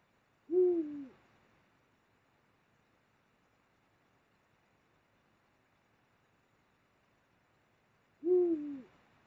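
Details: Eurasian eagle-owl during mating at the Mosel, Germany, late January 2022: two deep, slightly falling hoots about seven seconds apart over a quiet, still background.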